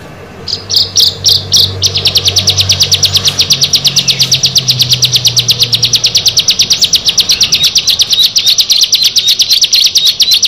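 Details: Six bar-winged prinias (ciblek) together give a high, rapid, unbroken series of sharp chipping notes, several birds overlapping, with a low hum underneath early on.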